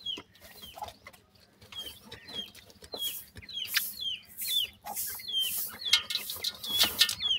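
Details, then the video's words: Chicks of grey francolin, called dakhni teetar, peeping steadily with short falling whistled notes about once a second, several voices overlapping, with hissy scratching noise growing louder toward the end. "partridge chicks,dakhni teetar lover bird baby"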